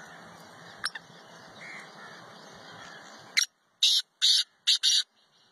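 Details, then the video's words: Black francolin, known locally as kala teetar, wild in its natural habitat in Pakistan: a loud, harsh, grating call of one short burst, a pause, then three to four rapid raspy notes, after a stretch of soft background hiss. "kala teetar"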